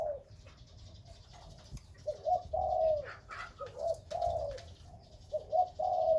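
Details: Spotted dove, Khmer and Malay breeding stock, delivering a run of rounded coos in quick groups of two and three, slightly rising then dropping; brief higher chirps from other birds sit in the background.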